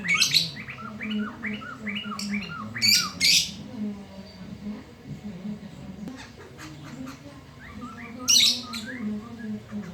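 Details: Loud midday song of a black-throated laughingthrush: a rapid run of short rising whistles leading into harsh double rasps, then a scratchy burst later on, all over a low humming background.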